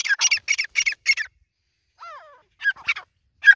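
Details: White partridge (white teetar) giving rapid, grating notes in a tight burst, then a brief descending whistle-like sound and a few more harsh scratchy notes after a pause.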